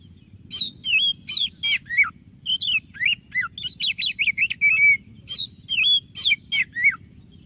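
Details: Oriental magpie-robin, white-breasted form, singing strongly to encourage other kacer: a long string of varied whistles, falling slurs and a quick trill of repeated notes, each about half a second apart, with a low hum beneath.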